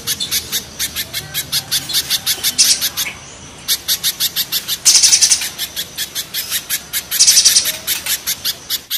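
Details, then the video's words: Spiderhunters, mountain versus banana, giving rough, harsh calls. Rapid high chip series pause twice and are punctuated by louder dense bursts of notes near the middle and the end. "Raja kasarnya kolibri pijantung gunung vs pijantung pisang"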